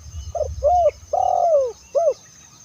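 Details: Spotted dove call used to lure other doves: a soft short note, an arched coo, a long drawn-out coo sliding downward, then a brief final arched coo, over a low background hum.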